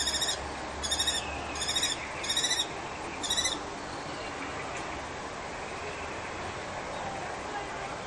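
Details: Female common kestrel at a Brno-Bohunice balcony nest cries out while her partner battles another male for the site. Five loud, grating trill-like bursts come in the first three and a half seconds, then steady low noise.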